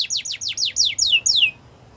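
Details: Yorkshire canary singing, for song training: a short phrase of about seven loud descending sweeps, slowing and lengthening toward the end before falling silent.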